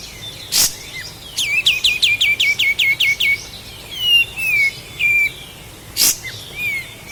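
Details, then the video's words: Master recording of a Sooty-headed bulbul from Lahat, made for training cage birds: a fast run of about a dozen rising chirps, then several descending whistled slurs, with two sharp loud clicks. "Masteran Burung Kapas Tembak Asli LAHAT"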